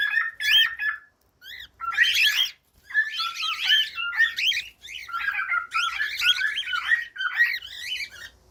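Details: Cockatiel song made of fast chattering phrases. Squeaky up-and-down chirps and rough squawky notes tumble together in dense bursts over about eight seconds, with only short pauses between them.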